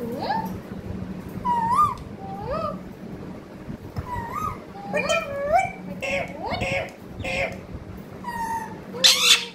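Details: Long sequence of parrot speech-like calls: repeated upswept and bending tonal syllables in irregular phrases, closing with a loud harsh squawk, over a persistent low hum.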